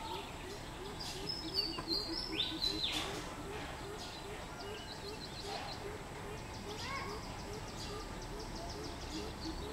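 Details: Greater coucal recorded 13 June 2020: a long series of deep, hollow hooting notes repeated rapidly and evenly, about three per second, under background chirps and trills of other birds and steady outdoor noise.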